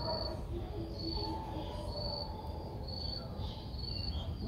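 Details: Streak-eared bulbul nestling, six days old, in Ubon Ratchathani, Thailand, on 8 April 2023, giving thin high begging notes repeated about once a second over steady low rumbling background noise.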